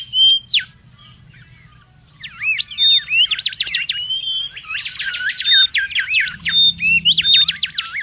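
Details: In the wild, a mangrove whistler gives a brief whistle, falls quiet, then bursts into dense, rapid strings of whistled strokes and pure level notes that run on without pause.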